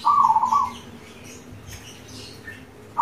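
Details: Local zebra dove, an actively singing bird used as a lure to get other doves singing, gives one short rolling, trilled coo lasting under a second, with another just starting at the end; faint high chirps from other birds behind.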